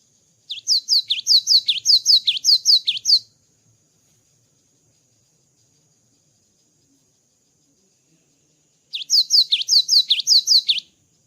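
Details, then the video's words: Two loud bouts of rapid, regularly repeated high two-note phrases from a gelatik batu (cinereous tit) after moulting, each lasting about two and a half seconds, with silence between. "GELATIK BATU GACOR ‼️ KICAU GELATIK BATU SETELAH MABUNG"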